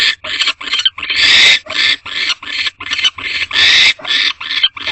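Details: Male and female barn owls inside a nest box at night while mating, male arriving without food; rasping hissy screeches repeated in uneven bursts, some short, some drawn out for half a second.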